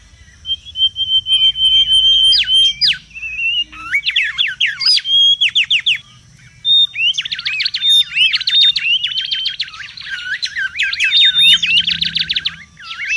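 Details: Wild mangrove whistler, used as a lure and tutor recording, sings energetically: a steady whistle, then sharp looping slurs, then a long rapid series of quick up-down notes, about three every second, with a faint low rumble.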